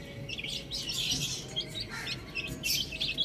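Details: Short burst of chicks on a roof: thick overlapping high peeps, swelling and thinning, with some sharper single notes toward the close.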